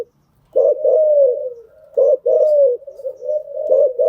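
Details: Spotted dove cooing as a lure for training newly caught birds: after a brief silence, a long gliding coo, then a short clipped note, then another long falling coo and softer trailing notes.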